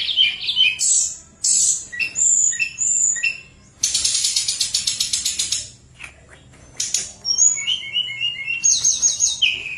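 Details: Sunda robin in lively, flute-like song, played to coax reluctant birds into singing: varied high whistles and chips, a dry ratcheting rattle of fast clicks midway, then more whistled phrases with short pauses.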